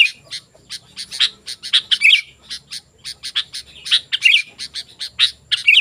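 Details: Sooty-headed bulbul in vigorous song for luring wild bulbuls: rapid sharp chirps interspersed with brief rich warbled flourishes, delivered in uneven bursts over faint low background rumble.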